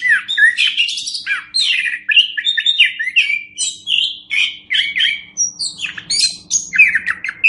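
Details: Song of the orange-headed thrush, kept as a master recording for training other birds; fluid, tumbling phrases of slurred whistles and sweeping notes, rapidly strung together with little pause.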